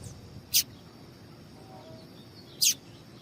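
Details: Female papa-capim seedeater calling, a sound meant to make males sing: two short, piercing high chips about two seconds apart against steady faint background noise.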